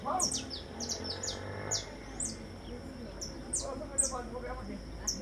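Saffron finch singing a series of sharp, high chirps and short descending notes, loosely repeated, with a man's voice and background murmur underneath.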